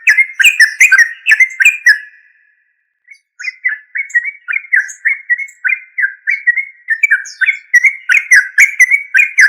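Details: Yellow-vented bulbul, locally called trucuk: rapid bubbly, chattering notes in quick runs, breaking off in a short pause near the start and then resuming steadily. Thin, high chirps sound above them throughout, growing busier toward the end.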